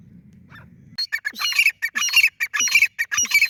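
A francolin gives loud, harsh, squawking notes in a rapid series, about two per second, after a second of low background rumble.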